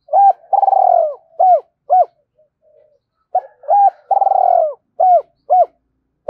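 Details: Spotted dove cooing in a fast, urging style meant to stir up and lure wild doves. Short hooked mid-pitched coos mix with a long rolling, purring coo. A brief pause separates two similar rapid phrases.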